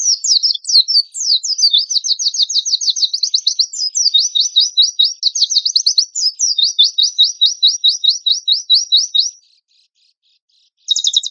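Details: Oriental white-eye lure song, a tutor compilation in rough burst style. Very high, rapid rolling trills of repeated short notes about twice a second, running continuously, then a pause and a fresh start.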